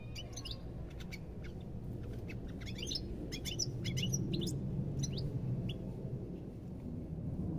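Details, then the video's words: European goldfinch song made of sharp, high, clicking chirps and rapid twittered phrases coming in irregular bursts, over a steady deep background drone. "تغريد طائر الحسون"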